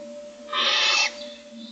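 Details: A single sustained, harsh hissing screech of about half a second from one of six Barn Owl owlets begging for food in their nest, morning of day 25.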